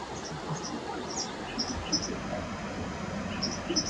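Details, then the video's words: White wagtail in Japan giving thin, high chipi-chipi calls. The short doubled notes come in quick pairs several times against a steady, loud background rumble. "チピチピ セキレイの鳴き声"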